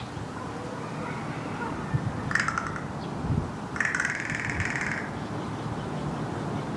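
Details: An American crow (Corvus brachyrhynchos) gives two harsh, rapid rattles, a short one then a longer one of about a second, over a steady low background rumble. Such rattles are used in social interactions or as alarm calls.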